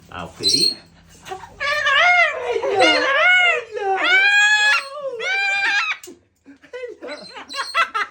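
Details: Pet male green-winged macaw (Ara chloropterus) gives a run of loud, arching, tonal squawks rising and falling about once a second, greeting his owners as they collect him from a parrot hotel after their holiday; people speak warmly nearby.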